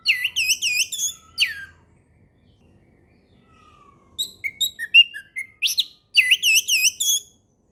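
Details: Orange-headed thrush in the ngeplong singing style. It gives bright bursts of looping, repeated whistled notes, then a pause and a varied jumble of sliding whistles and chirps before more looped phrases.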